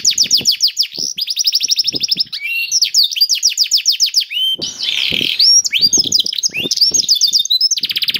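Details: Canary delivering a lively song to stimulate other canaries, mixing fast high trills, sweeping slurred notes and a grating buzzy section, with soft tapping sounds in the background.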